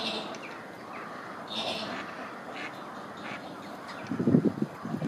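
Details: Chilean flamingos in a synchronized display, giving a quick series of low, nasal, quacking grunts near the end after a quieter stretch with faint higher calls.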